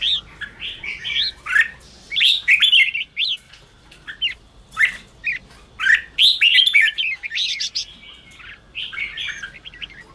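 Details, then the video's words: Red-whiskered bulbul 'ché' song played to spur wild-caught caged bulbuls: repeated short burbling, chirpy phrases about every second, some with harsher scratchy edges, over ten seconds. "Kích chào mào yếu lửa/Kích chào mào bổi nhanh ra âm/kích bổi sổ bọng/chào mào ché kích bổi căng lửa"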